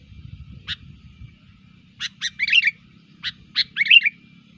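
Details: Sooty-headed bulbul lure song, lively and chattering, used to attract wild bulbuls: a lone chirp, then two bursts of quick sharp notes ending in bubbly warbled phrases, over a faint low rumble.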